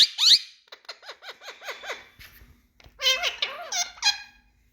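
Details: Big male Indian talking parrots: a shrill opening squawk, then a steady series of about seven short, nasal, speech-like syllables, a quiet gap, and a louder burst of rapid harmonic chatter.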